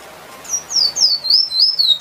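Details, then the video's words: Finch called emprit delivers a rippling phrase of high, down-slurred whistled notes, roughly five in a row, clear against a soft hissing background. "Bird Finch/Emprit Singing Power"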